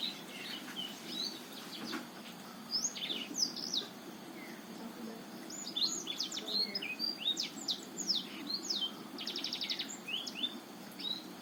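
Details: Botswana-type black-throated canary in sustained song, used to coax a reluctant male to sing: varied high chirps and down-slurred whistles, busier after a quiet opening, with a quick rattling trill near the end.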